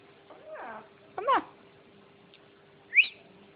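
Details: Pet parrot vocalizing while singing with people. Three brief sounds are heard: a falling warble, a sharp rising-and-falling squawk and a short high squeak, separated by quiet pauses.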